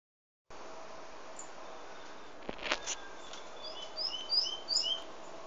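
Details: A pet White-collared seedeater (Sporophila torqueola) singing, recorded from inside the house, gives a quick run of thin, high, slurred chirps in its last two seconds, after a soft rustle and a steady background hiss.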